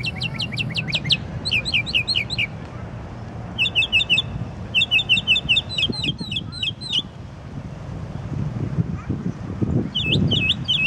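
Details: Unknown songbird singing away in the middle of the night, showing a large repertoire: fast runs of high chirped notes changing type from phrase to phrase, with gaps between, above low background rumble and some thumps.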